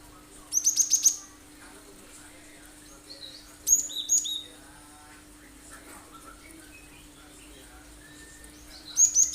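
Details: Cinereous tit (gelatik batu) singing sharp shot-like phrases as a lure for other birds to join in; a fast trill of high notes opens, a second two-part phrase follows, and another trill ends the clip.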